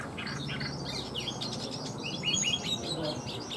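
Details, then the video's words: Tame caged Chinese hwamei singing, said to sing well: a quick jumble of high, varied whistled and slurred notes, with a low rumbling background. "Chim họa mi thuần hót tốt"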